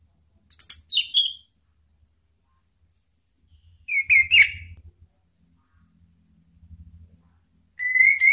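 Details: Orange-headed thrush from Indonesia, a lure call to provoke rival birds into singing freely (ngeplong), also used as therapy for birds that stop singing: three loud whistled bursts with slurred, falling notes separated by pauses of about three seconds.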